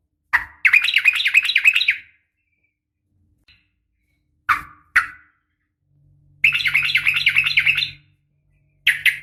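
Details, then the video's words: Yellow-vented bulbul, a female calling a male in garuda fighting style, giving rattling chattered bursts of fast bright notes between single sharp chips and longer silences. "trucukan gacor SUARA NGGARUDA TARUNG ROPEL"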